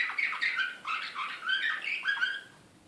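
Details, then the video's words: Excited Serbian Slavujar canary from Belgrade, 2016, giving a short burst of chirpy, warbling song notes that fade away at the end. "SLAVUJAR SRPSKI BEOGRAD 2016"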